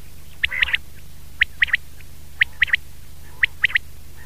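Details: Common quail (batair), recorded in 2019: crisp, clipped three-note phrases repeated about once a second, each quick liquid triplet standing clear over a low background hum.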